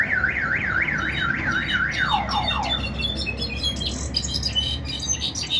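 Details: Brown-backed solitaire, one of six caged birds, singing in the 2020 season: rapid wavering whistled notes, then a descending slurred run, with high chirps of other birds throughout.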